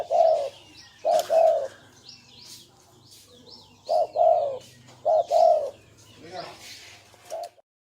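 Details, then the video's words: Spotted dove cooing in the gù style, deep rounded double coos spaced by pauses, while small birds chirp and twitter faintly in the background. "Tiếng chim cu gáy có giọng gù hay nhất"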